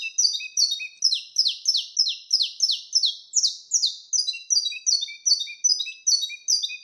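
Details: Saffron finch delivering 'mateiro' wild-style song, a continuous run of sharp, falling whistled notes about two to three per second, the pitch rising slightly midway with quieter low chips between.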